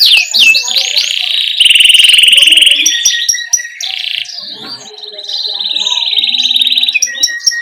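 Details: Energetic ('gacor') canary song in rolling 'ngerol' style, a tutor recording to stimulate young canaries. Fast descending whistled sweeps lead into a loud buzzy trill, quieter twitters in the middle, then another long, fast, rolling trill.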